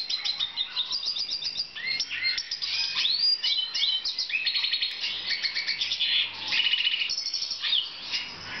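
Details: Breeding black siskin, 2014: a lively, unbroken twitter of rapid chirps, with quick rising and falling slurred notes and buzzy trilled bursts, sung continuously for over eight seconds.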